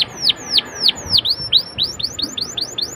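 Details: Canary lure song meant to prompt young canaries to start singing: loud downward-swept whistles about three a second, then a quicker, softer run of upward-flicked notes.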